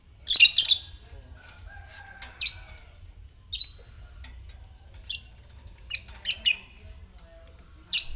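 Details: Lovebird of the fighter type, used as a lure to stimulate other lovebirds into ngekek; shrill, sharp squawking chirps sounded singly or in quick pairs at irregular gaps, with faint thin whistles between.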